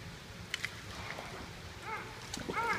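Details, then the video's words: Common murre giving two brief, harsh, arching calls near the end, with a few sharp clicks and a steady background rush like surf or a busy colony. "Common Murre"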